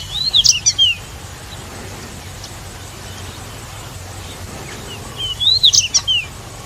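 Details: Pied bushchat song: two short, bright whistled phrases of quick rising and falling notes, about five seconds apart, with a steady low background hiss between them.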